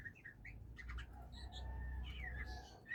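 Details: Kacer, the oriental magpie-robin, as it begins to sing: scratchy chirps and short whistles, then a sliding whistled phrase that dips and rises near the end, set against a persistent low hum.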